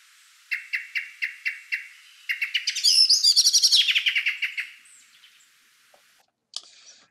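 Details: Common Blackbird evening alarm noise, set off by disturbances: a series of sharp, evenly spaced chinks, then a loud, rapid rattling chatter that fades away.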